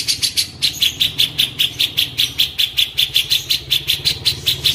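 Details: Cililin repeats a high, sharp note about two and a half times a second in a steady chatter over a low engine-like hum; used as tutor audio for magpie-robins alongside cucak jenggot.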